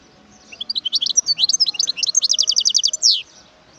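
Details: Wild European goldfinch singing a lively liquid phrase, varied twitters accelerating into a steady fast train of sharp high notes, finished by a louder drawn-out descending slur.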